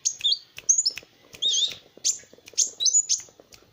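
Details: Kolibri wulung sunbird singing as a training master for other birds: fast high twittering slurs and a buzzy rasping note, with soft clicks in the background.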